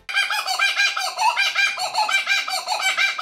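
A loud, rough, cackling laugh from a laughing kookaburra, with rapid hoarse chuckles pulsing several times a second without a break.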